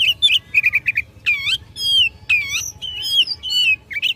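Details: Oriental magpie-robin singing aggressively at rivals: quick chipping notes, then long looping whistled slurs falling in pitch, separated by short gaps, with more varied phrases after.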